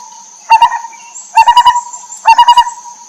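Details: Wild lineated barbet, a mother feeding her chicks. Three short bursts of hollow, throaty notes come about once a second, each burst made of three or four rapid pulses. A steady high insect-like drone runs throughout.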